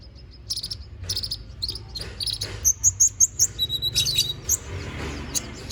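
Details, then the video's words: Konin bird, a lively singer in full song, recorded as training material for magpie-robins. Buzzy high notes lead into a rapid series of sharp whistled notes, then a lower trill and more chirps. "MASTERAN BURUNG KONIN GACOR NGOBRA FULL ISIAN!"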